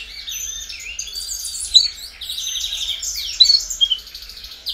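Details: Domestic canaries in a busy 'baderna' session aimed at prompting young birds to sing: overlapping jumbled twitters and short trills, fairly quiet, with a couple of sharper notes standing out.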